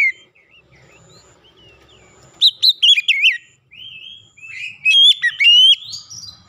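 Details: Clear lure song of an Oriental magpie-robin, played to prompt silent birds of its kind to sing: soft scattered notes, then two loud bursts of quick, sweet whistled notes rising and falling, the second ending in a lengthening whistle.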